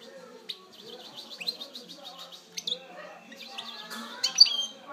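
A European goldfinch sings a fast, liquid twitter of high tinkling notes mixed with buzzy trills, over a faint low murmur of voices.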